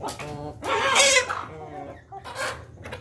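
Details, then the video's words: Ayam Ketawa rooster crowing while eating: loud, stuttering, harmonic syllables repeated in quick succession, the strongest near the middle, then a softer pair at the end, all over low background hum. "ayam jago ketawa lagi makan"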